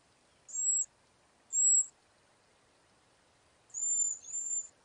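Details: Cedar waxwing in a backyard flock, feeding and passing berries and insects to one another. Four very high, thin, hissing whistled notes: two short separate notes, a pause, then a longer drawn-out pair, over a quiet background.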